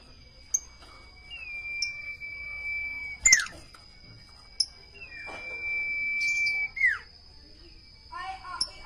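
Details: Common iora singing two drawn-out, steady whistles that each end in a sharp falling slur, spaced about three seconds apart, with a few brief high clicks and a short chattery burst near the end.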